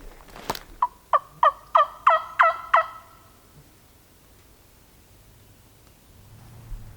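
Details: A wild turkey gobbles during the Alabama 2020 opening season, on the next finger over across a hollow, not very close: about seven loud, throaty notes over two seconds after a sharp knock, then quiet woods.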